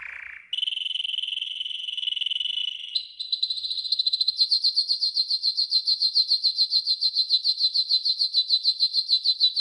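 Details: Yellow golden canary training song: a short low note, then a steady buzzy trill, stepping up into a loud, strongly pulsed trill repeated about three times a second.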